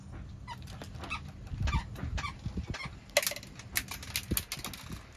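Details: Pet macaws dressed in hoodies give harsh, broadband squawks in short bursts, loudest near the middle and end, with handling noises and a low background hum.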